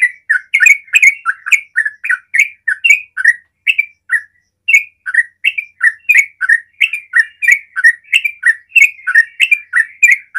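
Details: Ropel-style rapid song of a yellow-vented bulbul, meant to provoke other bulbuls into singing; a long unbroken run of quick, chirpy, up-and-down notes, about three per second, with one brief pause partway.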